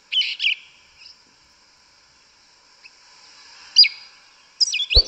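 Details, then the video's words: Yellow-legged thrush singing in the forest in the mateiro style: short, sweet whistled phrases with quick slurred notes, separated by several seconds of near silence, ending with a sharp click. "Sabiá Una cantando no mato. Lindo canto mateiro da sabiá preta"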